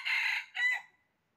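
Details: Red junglefowl during trapping, 20 January 2023: the tail of a crow, a harsh blaring note followed by a shorter, ringing final syllable that fades away, with silence after.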